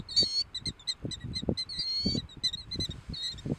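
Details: Killdeer at Cook's Beach on 12 April 2014 giving shrill, high piping notes, a couple drawn out and the rest short, about three per second, over low gusts of wind.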